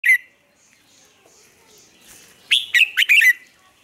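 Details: Red-whiskered bulbul morning song, used as lure sound to train other birds: a sharp opening note, then after a quiet gap a quick burst of four or five loud, bright warbled notes with slurred downward twists.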